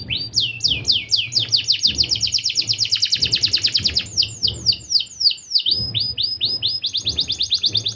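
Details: Canary singing, used as a lure to prompt other canaries to answer: an unbroken, rapid run of sweeping chirps repeated many times a second for eight seconds, briefly pausing near the end, over a faint low hum.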